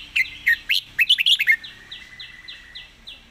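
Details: Red-whiskered bulbul singing a rapid 'fast-beak zone' style song: a quick burst of bright chirped, up-slurred notes in the first second and a half, then a softer run of evenly spaced, falling whistled notes.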